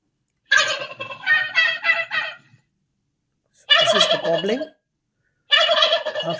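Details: A turkey (Meleagris gallopavo) gobbles loudly in three rapid rattling bursts, each a second or two long, separated by short silences.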